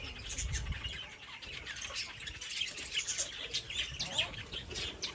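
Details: Bright, busy bird chirping fills the air: rapid high tweets from many birds overlap continuously, with a faint low thud at the start.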